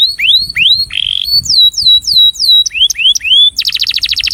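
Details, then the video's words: Breeding male canary giving its attraction song: a series of clear, rising whistled sweeps, a short buzzy burst, then falling slurred notes and upswept whistles, ending in a fast, dense trill. "Canário Reprodutor - Som de Atração"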